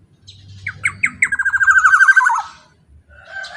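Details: Strong Black-naped oriole song meant to provoke other orioles: three short rising notes lead into a rapid, grating, pulsed trill lasting about a second and sinking in pitch, over a faint low hum.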